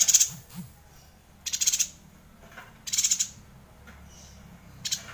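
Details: Very high, bright twittering phrases from a Yuhina in the persistent 'gacor ngerol' style, played to teach White-rumped Shamas; four short rapid bursts about every one and a half seconds over a quiet low hum.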